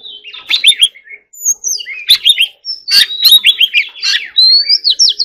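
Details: Vigorous contest singing from a caged white-rumped shama: chattering trills, clicks and long rising whistles alternate in varied phrases separated by short pauses, over a faint low hum.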